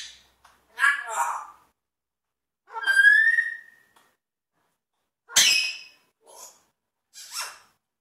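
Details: Pet African grey parrot mimicking sound effects: a gritty warbled note, a clear whistle holding steady, then a sharp click-like crack followed by two soft, brief chirps.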